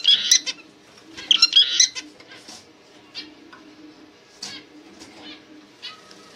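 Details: Zebra finch chirping in two loud bursts of rapid, buzzy, nasal notes, followed by a few isolated soft chirps and near quiet.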